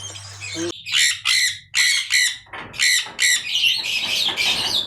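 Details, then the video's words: Budgies chattering in their aviary cages: a fast series of about eight harsh, grating calls, quickening and overlapping toward the end, after a brief low hum at the start. "See My All Budgies Aviary | How They live In Cages | Eating, Slipping,Talking"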